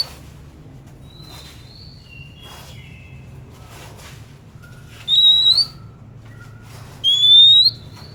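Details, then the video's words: Kacer, or oriental magpie-robin, billed as a persistent singer. Several faint, soft whistled notes at first, then two loud, clear whistles rising upward, about two seconds apart. "Kacer Bakal GACOR Gak DIEM Setelah Terangsang Suara Kacer Super Gacor DOR Ini"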